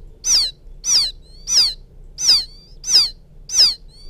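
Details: Chick of a field quail calling its mother: six clear, piercing downslurred peeps, evenly spaced about 0.6 seconds apart, with faint high notes between them.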